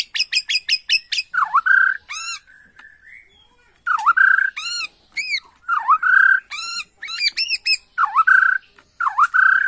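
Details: Agitated Bornean white-rumped shama lure song: a rapid run of short harmonic chips, then loud downslurred-upswept whistles alternating with ringing arched notes, delivered in bursts separated by brief pauses; a clean recording with no other sounds.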